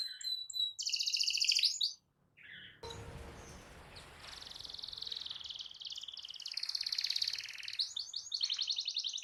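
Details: Canary song with long rolls meant to trigger other canaries to sing; a short high trill, a pause and a burst of rough noise, then a quieter, steadily building rolling trill growing loud toward the end.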